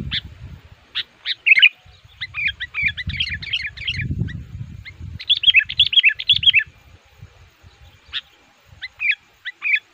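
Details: Sooty-headed bulbul used as a lure for wild males, actively challenging rivals: scattered chips leading into dense bubbly chattering runs, then sparse fluty notes, over low rumbling noise.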